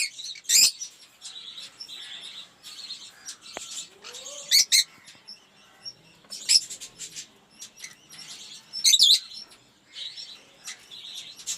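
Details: Many caged lovebirds of mixed colour mutations in an aviary, a continuous high chattering of chirps and twitters with sharp shrill shrieks standing out every two seconds or so over the flock's background noise.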